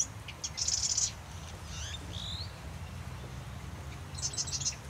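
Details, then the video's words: Marsh wren: a brief high buzzy trill, then a few thin sliding whistled notes, and a second short rattling trill near the end, over a low background rumble. "Marsh Wren - Song & Call"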